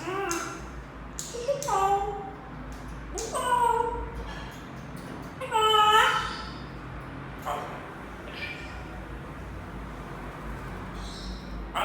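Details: A pet African grey parrot, which the owner says doesn't really like the household's Senegal parrots, gives short, harmonic, speech-like babbles and squawks in several bursts. Some rise and fall, with quieter chatter and room noise between.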